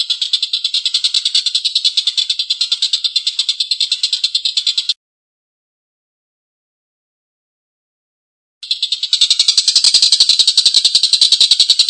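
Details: Collared kingfisher's long, coarse laughing call, recorded for training songbirds: rapid raspy notes, then a silent gap of several seconds, then a louder, denser run of harsh notes.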